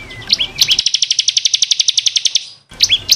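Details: Bar-winged prinia (ciblek kristal), training song for caged birds: high slurred whistles, then a two-second trill of about twenty crisp repeated notes, then the whistles return.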